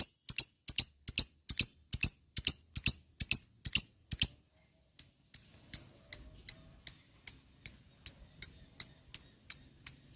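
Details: Lovebird lure sound for ngetik: crisp, high, paired ticking chirps repeated about twice a second, then thinner single ticks after a short break.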